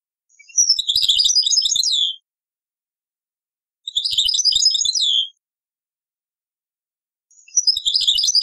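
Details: Repeated taqsrain-style phrases of a European goldfinch from an old cassette: three bursts of rapid, high jingling twitter with buzzy trills and a falling slur, separated by silent gaps of about two seconds.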